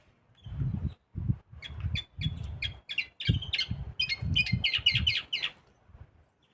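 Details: Canary hybrid (mixto) singing while being prepared for song contests: a run of short clipped chirps that quickens into rapid ringing high notes, over repeated low dull thumps.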